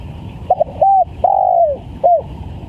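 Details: Spotted dove lure phrase with vigorous calling: staccato opening notes, a short coo, then a prolonged descending coo ending in a single short note. Low background hum throughout.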